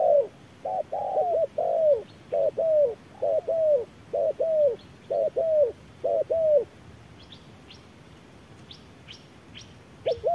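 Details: At midday in strong sun, a decoy spotted dove duels a wild one: a dense series of two-part hoarse coos that stops abruptly, followed by quiet with faint high chips from small birds.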